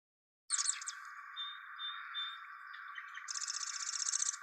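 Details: Marsh Wren song in a recording that was amplified and then band-filtered to remove low-frequency noise, with mill and helicopter sounds in the original: a burst of dry, rapid rattling trills, a few thin whistled notes, then another long buzzy rattle over steady hiss.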